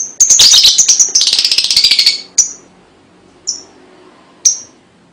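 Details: Lovebird chirps and trill used as a lure for young birds: quick high chirps merging into a fast buzzy pulsing trill, then three isolated sharp chirps with quiet gaps between.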